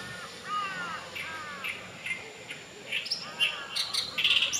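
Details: Oriental reed warbler song recorded 6 June 2020 at Kanai retention basin in Japan, a loud run of rasping, scratchy notes and chattering phrases growing denser toward the end, with faint background birds.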